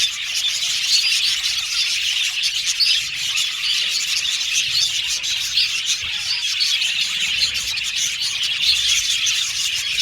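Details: Budgerigars giving repeated, insistent contact calls to find company; continuous high scratchy chirping and chattering, evenly loud throughout.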